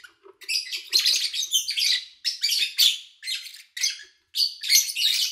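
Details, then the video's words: Lovebirds at an owner's home, August 2019, recorded with little human activity: loud, harsh, rasping chatter and shrill chirps in long overlapping bursts, with faint low clicks underneath. "Sounds of Lovebird Chirping"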